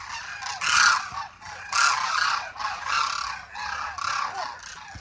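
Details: A flock of demoiselle cranes (Grus virgo) at Khichan village, Jodhpur, Rajasthan, calls together in overlapping, hoarse, croaking trumpets, rising in loud bursts about once a second.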